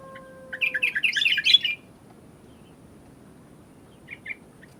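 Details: Sooty-headed bulbul singing vigorously: a bubbly burst of rapid liquid notes lasting about a second, then a short two-note phrase later; steady faint background hiss, with a few flat whistled tones at the start.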